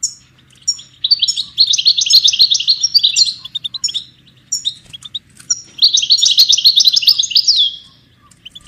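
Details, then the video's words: Song of a European goldfinch, meant to train and motivate songbirds: two long rapid tinkling twitter runs, liquid and jingling, with scattered sharp chirps between them and a faint low hum underneath. "Goldfinch ringtones for hunting and high motivation"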